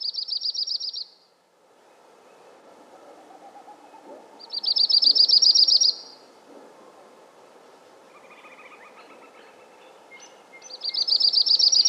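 Yellow-rumped Warbler giving three high, rapid, even trills, each about a second and a half long and roughly five seconds apart, over a soft low rumble.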